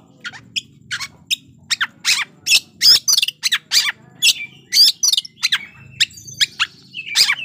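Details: Energetic fighting song of an Oriental magpie-robin, played to stir up rival birds: a rapid string of loud, crisp, harsh chirps and chattering notes with hardly a pause, over a faint low hum.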